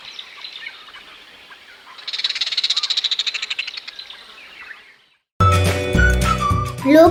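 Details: Striated heron (Butorides striata) in Sri Lanka giving a rapid, harsh, pulsed series of clicking notes over a hissy background, followed by music.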